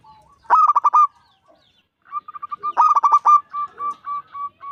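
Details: Loud-voiced local zebra dove, aged five, singing to invite other doves to perform: a rapid rolling burst of coos, then a long chain of evenly spaced short coos and another burst.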